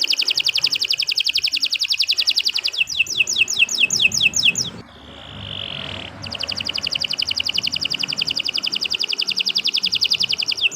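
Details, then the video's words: Long canary song used for training other songbirds: dense rapid trills of repeated high notes, a run of downslurred whistles, a short quiet gap with a soft tone, then the fast trill resumes. "Kicau Burung Kenari 165 II LUAR BIASA GACOR PANJANG Cocok untuk Masteran"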